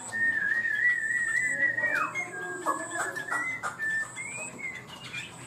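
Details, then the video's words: Chinese hwamei singing bird from Vietnam, high 'cao cầu' style: a long, steady, clear whistle held for over a second, then a sharp downward slide and several shorter whistled notes, with a faint steady high tone. "Chim họa mi hót cao cầu, ra mỏ nhanh ổn định"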